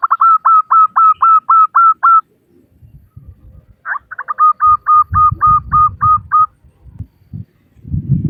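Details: Female zebra dove, local type, calling males to make them sing: an even run of about nine hooked notes, a short pause, then a second run of about ten, with low rustling noise afterwards.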